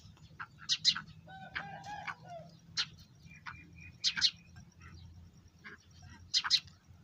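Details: Black francolin (kala titar), said to be in full excited mood, giving harsh, rasping broadband bursts in short clusters of two or three notes every one to two seconds, with a lower clucking harmonic note early on over a faint low hum.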